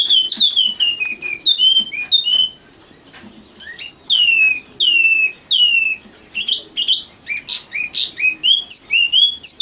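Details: Common nightingale singing sweet descending whistles in groups, separated by short silences. The bird ends with a fast, accelerating sequence of bright chirps.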